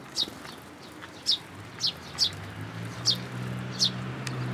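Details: Juvenile sparrow coming to a plum tree at a Tenmangu shrine, June 2022, to get food; repeated piercing, falling chirps, about seven, with a low hum rising in the background.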